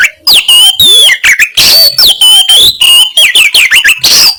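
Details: Singing Oriental magpie-robin with harsh 'kasaran' material used to make rival birds puff up. A dense run of loud whistled notes, sweeping slurs and rasping bursts follows in quick succession without pause.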